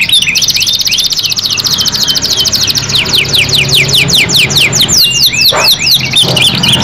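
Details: Canary singing loudly and continuously: a long trill of rapid, high, downward-sweeping notes repeated many times per second, later shifting to slower, spaced whistled sweeps, with faint low background rumble.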